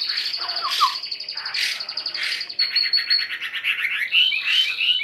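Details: A caged hwamei, taken from the wild a week earlier, sings fast repeated chirping notes over a held high whistle, then breaks into quick twittering trills and bright upslurred phrases.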